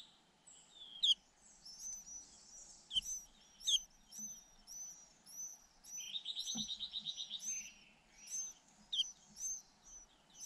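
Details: Two hungry white-eye nestlings being fed in relay by both parents: thin, high, sharp calls repeated irregularly, with a fast buzzy trill of rapid pulses midway, in a quiet setting.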